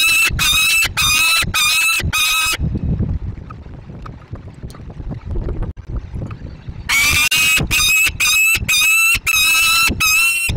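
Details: Young peregrine falcon at a nest box on an industrial site in Inowrocław, Poland, calling insistently: loud harsh rasping wails in rapid bursts, a pause with rumbling background noise, then more repeated rasping calls.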